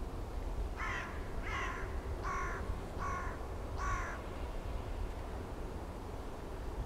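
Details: A Great Bittern in Zuid Holland, Netherlands, on 29 December 2010 gives five harsh, crow-like croaks, one roughly every three-quarters of a second, over a steady low rumble of wind or distant traffic.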